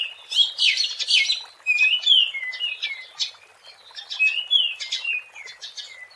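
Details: Oriental magpie-robin (Copsychus saularis) in the wild, song used to lure birds; dense bursts of scratchy chatter alternate with sweet, downslurred whistles in a lively, unbroken flow.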